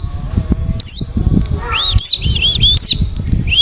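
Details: Wild white-eye calling to attract other white-eyes: steeply falling high chirps, then a wavering, looping whistled phrase, over a low rumbling background.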